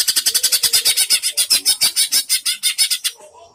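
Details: Greater green leafbird in a contest, dueling in song against a rival bird as a test of nerve: a fast, even run of about twenty-two sharp, high, bright notes over three seconds, ending abruptly, then a faint man's voice.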